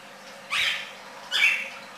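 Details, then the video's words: Red-crested cardinal producing two short, bright whistled notes about three quarters of a second apart, the second slightly louder and higher. "cardenal cantando copete rojo"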